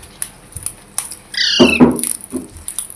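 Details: Parrot producing a short, raspy squawk with stacked harmonics that runs straight into a broader, rougher burst of sound, with light clicks and steady hiss around it.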